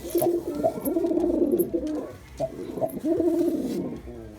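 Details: Girabaj pigeon, a male in display, delivers deep bubbling coos in two long drawn-out phrases, each opening with a sharper accented note, in a small indoor space.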